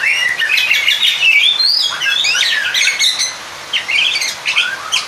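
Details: Oriental magpie-robin song meant to provoke a rival. Busy, overlapping whistles and chattering notes, including scratchy squawk-like elements and repeated upslurred phrases, run steadily through the passage.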